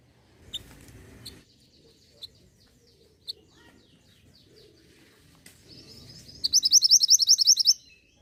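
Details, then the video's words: Mantenan gunung, a sound used to coax caged birds into song: several isolated high chips and a soft warbled phrase, ending in a loud rapid trill of about twelve crisp repeated notes. "PENARIK RESPON BUNYI UNTUK BURUNG MANTENAN GUNUNG AGAR CEPAT GACORR."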